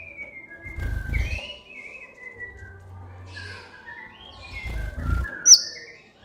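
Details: Van Hasselt's sunbird, a master recording for training captive birds and prompting lazy singers. High thin whistled sweeps and short chirps, with one sharp piercing note near the end. Dull low thumps sound twice.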